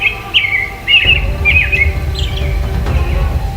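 European robin singing short, high, thin warbled phrases, each slurring up and down, a few per second, over a low rumbling background hum.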